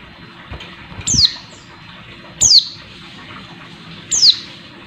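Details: A female Oriental white-eye, calling to excite males, gives three thin, very high downslurred notes, one every second and a half, over a faint steady hum and a few soft thumps.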